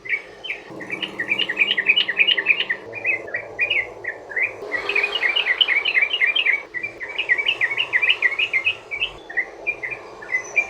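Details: Sooty-headed bulbul giving a long rolling song to set other bulbuls singing: dense quick bubbling notes in fast runs of several seconds, separated by brief gaps, bright and chattering over low hiss.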